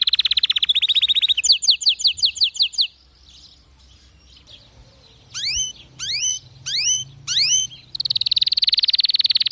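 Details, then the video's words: Canary song played to encourage canaries that do not sing or sing weakly; buzzy rapid trills, a short pause, a few loud sweeping whistled notes, then another fast trill. "اذا عندك كناري لا يغرد أو ضعيف الصوت أتركه يستمع اهذا الغناء"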